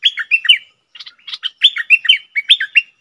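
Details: Red-whiskered bulbul kept as a decoy, singing loud, liquid, slurred whistled notes in short groups, each dipping and rising in pitch.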